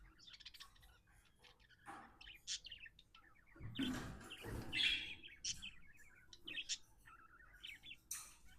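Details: A happy pet budgerigar gives soft, rapid chirps and trills, interrupted midway by a couple of muffled noisy bursts.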